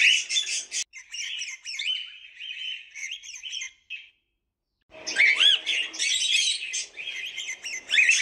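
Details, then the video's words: Cockatiel calls: a run of warbled chirps and whistled notes, a pause of about a second, then a louder burst of rising whistles and harsh squawks. "Cocktiels video and sound"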